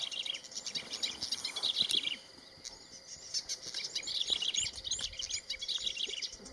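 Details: Boran cisticola in Uganda, a species expanding there from Kenya, giving its distinctive call: quick, high, chirpy notes in rapid bursts, over a steady insect-like hum and other faint bird chatter.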